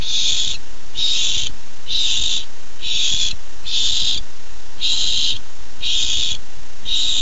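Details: Eager young barn owl at its nest on July 13, 2015, awaiting a first treat, hisses in a steady series: eight rough, noisy bursts spaced under a second apart.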